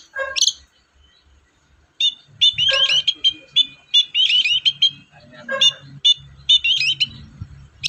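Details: Long-tailed shrike, known locally as cendet, singing in captivity as a prompt to set off quiet birds; harsh scratchy bursts and chattering notes in quick irregular phrases, with faint low thumps and background noise between.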